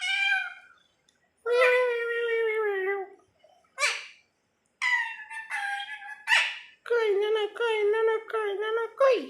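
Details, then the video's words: Pet parrot that mimics human speech, said to repeat everything people say; a run of harmonic, voice-like talking phrases with pauses and a few sharp squawks, music faintly present. "এমন কথা বলা টিয়া পাখি আগে দেখেননি। মানুষের সব কথাই বলতে পারে এই টিয়াপাখি।"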